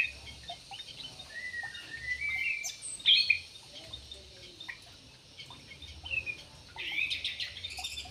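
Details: Javan pied starling singing a loose sequence of varied notes: rising slurred whistles, short sharp chips and a burst of harsh, scratchy chatter near the end.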